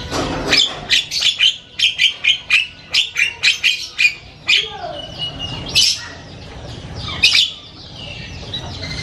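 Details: Loud, varied chatter of an Asian pied starling: quick string of sharp, squawking notes roughly two per second, followed by slower mixed phrases with a low mewing swoop, harsh bursts and thin whistles.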